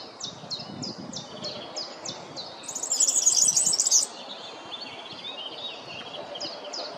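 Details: European serin singing: a dense, high, jingling burst of rapid buzzy notes lasting about a second, set against another bird's steady series of short high notes repeated several times a second.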